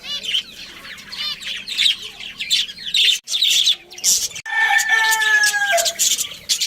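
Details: Colony of budgerigars, including a breeding pair, twittering in busy scratchy bursts, then a stretch of longer tonal notes layered over the chatter.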